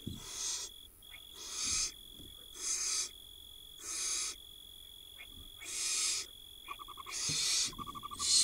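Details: Barn owl nestlings on an Israeli nest camera in 2022 beg from their mother at feeding time. Harsh hissing screeches last about half a second each and repeat roughly once a second. A few faint clicks come near the end over a steady electronic whine.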